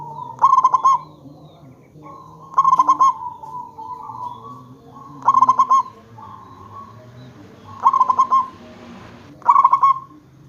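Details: Lure song of a local zebra dove meant to make others reply: five bright, trilled cooing phrases, repeated roughly every two seconds, with faint long tones in the gaps.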